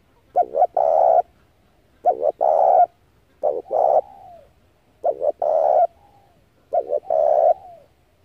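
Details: Spotted dove cooing to attract wild doves for trapping: five regular phrases, each a stuttered pair of short notes followed by a longer, loud hoarse coo, about every one and a half seconds, in quiet surroundings.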